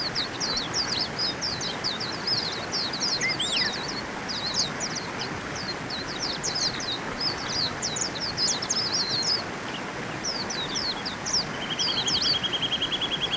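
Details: White-eye chattering continuously with rapid high chirps and slurred twitters, ending with a fast, even trill in the final seconds, all set against constant background hiss.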